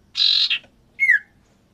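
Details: Male and female common iora, kept in captive breeding and being paired to mate and lay eggs: a harsh buzzy burst, a short second buzz, then one clear whistled note sliding downward.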